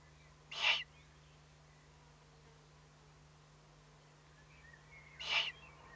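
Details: Owlets feeling threatened give two short hissing, breathy warning bursts about five seconds apart, recorded at 20:42 on 22 May 2015, with a steady low hum beneath and otherwise quiet surroundings.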